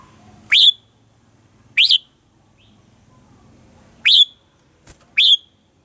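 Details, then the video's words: Red-whiskered bulbul in 'old forest voice' morning song, a lure recording for training birds: four loud, rising whistled phrases, roughly one a second at times, with pauses between them. "Luyện giọng cho chào mào hót sáng, chào mào hót giọng già rừng hay tuyệt"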